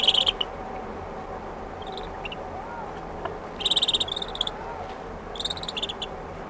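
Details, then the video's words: Common shelduck ducklings calling close up: rapid bursts of thin, high peeping in three short runs, over a soft 'mushy' hissing background with faint distant sheep. "Shelduck. CU Calls From Ducklings. Distant Sheep With 'Mushy' Background."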